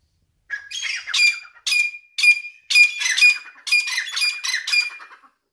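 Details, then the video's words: Iranian partridge (teetar) calling: a loud series of harsh, grating notes, each with a brief higher whistled tone, repeated about twice per second in quick bursts, with no other sounds. "Teetar ki Awaz |Irani Teetar ki voice |Teetar sound"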